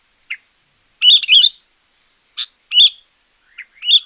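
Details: Champion sooty-headed bulbul song for luring or tutoring: a loud bubbling phrase, then sharper chirps and a rising warble, with a faint thin whistling in the background.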